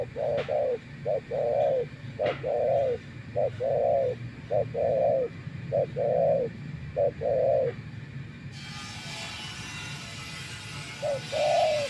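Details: Decoy spotted dove, tamed after a long spell outdoors for dove trapping, cooing steadily in quick short-then-long pairs for eight seconds; a broad hiss then takes over before a final lone coo.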